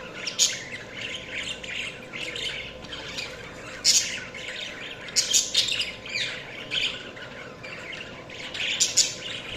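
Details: Lively budgie chatter: scratchy twittering broken by loud, harsh squeaks every second or two, overlapping voices keeping the sound continuous above a faint hum.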